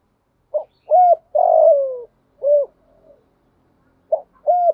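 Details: Decoy female spotted dove giving a lure call to excite males, 'thổ pha' style with one final note. There is a short hoot, an arched hoot, a long falling coo and a rounded end note, and the next phrase starts just after.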